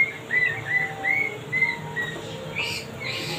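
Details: Sweet-singing male wambi repeating short level whistles about every third of a second, then finishing with two harsher, broader notes; low steady hum underneath.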